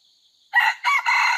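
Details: Second-generation (F2) jungle fowl in training, recorded 5/9/2020, crowing: after half a second of faint high hiss, a loud harsh three-part crow starts, with a short first syllable, a brief dip, then two longer sustained notes.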